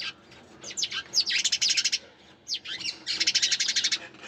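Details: Dense stretches of rapid, high sparrow chirps run together in two long bursts, broken by a short quieter gap.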